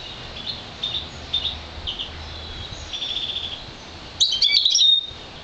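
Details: Goldfinch crossed with green fife canary, a one-year-old colour-fed mule, starting with soft scattered chirps and a short trill, then breaking into a loud, fast, tumbling high warble near the end.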